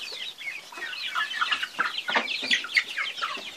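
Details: Chickens in chorus: crowded high-pitched peeping and chirping, rising in loudness toward the end, mixed with a few lower, short clucking notes.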